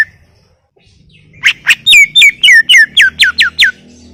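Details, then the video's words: Greater green leafbird in lively gacor song for tutoring: after near silence, a fast series of about ten loud, steeply falling whistled notes, delivered at a brisk, fairly even pace. "Full Gacor 40 menit CUCAK IJO"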